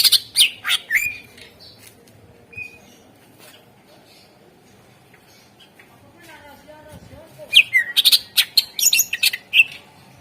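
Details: Greater green leafbird lure song meant to prompt other birds to sing: bursts of sharp chattering notes and short whistles at the start, a quiet gap, then a renewed run of rapid harsh, slurred high notes.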